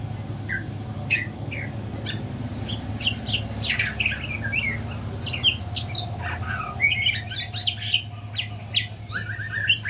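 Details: Morning song practice by a spotted juvenile white-rumped shama: a busy mix of sharp high chips, buzzy notes and rising whistles that grows denser toward the end, with a steady low hum behind.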